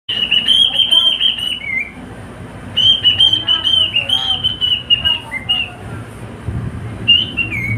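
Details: Male pet cockatiel singing along with a companion: a high, warbling whistle held steady, then dipping in short slides, in two long phrases separated by a pause, with faint room hum beneath.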